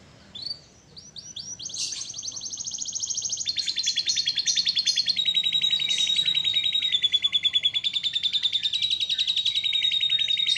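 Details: Canary in full song: a few sweeping notes, then long rapid rolling trills lasting several seconds, becoming a steady fast pulsed trill.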